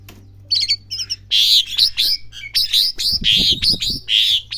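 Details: Young Asian pied starling practising its song: a few thin chirps, then loud harsh squawky and chattering phrases in bursts, with some low thumping noise partway through.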